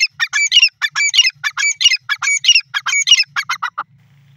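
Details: Teetar, the grey francolin, gives a fast series of loud grating, ringing call phrases in steady rhythm, which fade away shortly before the end, leaving low hum.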